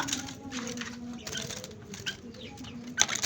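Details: Sooty-headed bulbul, a large-bodied bird newly caught by wild trapping, giving short bright bursts of sharp chirping notes with a louder burst near the end, over a low background hum.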